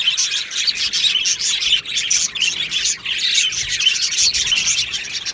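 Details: Budgerigars in an aviary colony, recorded 22 June 2025, singing and chirping: a dense, continuous chorus of high, scratchy warbles and rapid tweets from many birds, with no pauses across the stretch.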